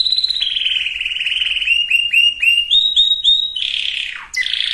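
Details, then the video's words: Singing canary used to ready males and females for breeding, giving a long rapid trill, then a run of descending whistled slurs and rising notes, ending with a harsh swoop. "اقوى وافضل تغريد كناري لتجهيز الاناث وتجهيز الذكور canary singing"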